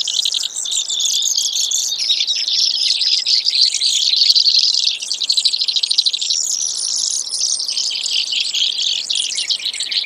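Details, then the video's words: Brewer's sparrow, presented as a hunting bird call: an extended, very high song of dense rattling trills, some fast and buzzy and others slower and pulsed, continuing without a break for ten seconds. "Brewers Sparrow Sound"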